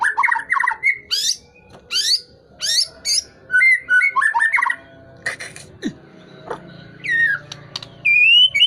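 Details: Tail-flicking White-rumped shama in full song: rapid rich warbled phrases, sharp high sweeps and ringing slurred whistles, broken by a few short gaps and soft clicks, finishing with a long rising whistle.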